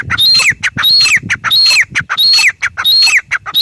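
A grey francolin gives loud, harsh, ringing phrases, each with a squeaky rising note and a falling tail, repeated about every two-thirds of a second.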